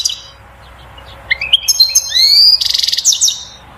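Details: European goldfinch song, described as intense singing to stimulate the female to mate and build a nest: quick high twittering notes, rising slurred whistles with harmonics, then a dense buzzy trill and rapid clicking phrase.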